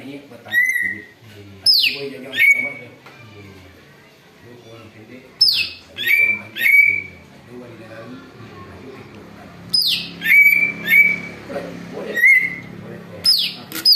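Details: Greater green leafbird mimicking an eagle for luring: phrases of steep falling whistles and held piercing notes come in groups every few seconds, separated by pauses, over a faint low background of voices and music.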